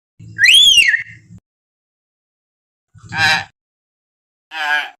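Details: Common hill myna wild call used to lure captive birds into singing: an arched loud whistle, then two short harsh rasping bursts, with low rumbling underneath.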